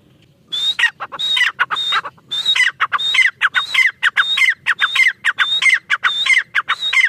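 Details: Female black francolin in a rapid series of grating calls: a sustained high note dropping into buzzy descending notes, phrases repeated about once every 0.6 seconds for several seconds, otherwise quiet.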